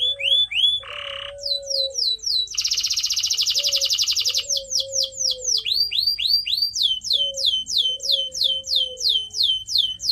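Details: Canary song meant for training pet birds: swept whistles and a short harsh note lead into a dense buzzing trill, followed by long runs of rapid downward-slurred notes, with faint low whistled tones underneath.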